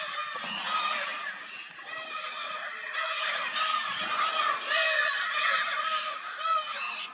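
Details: Courting Lear's macaws, wild and endemic to Brazil, near a nesting platform: a continuous run of grating, nasal squawks with strong overtones, rising and falling in loudness for about seven seconds.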